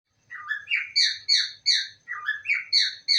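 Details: Pet parrot kept indoors, saying "I love you": short, chirpy, whistled syllables, dipping then rising, run together in quick repeated phrases of about three notes, repeated twice over three seconds, in a quiet room.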